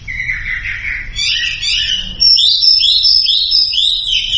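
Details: Sumatran leafbird song used as a lure to make silent birds sing: varied warbling phrases, an initial buzzy chatter, then sweet whistled notes and slurred rising-falling trills at high pitch, repeated in quick succession, with faint low background hum.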